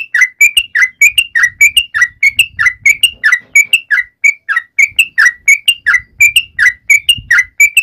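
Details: Sooty-headed bulbul calling its companions, with steady rapid series of whistled upslurred notes alternating with lower bubbly slurs, nonstop for almost eight seconds over faint low background rumble.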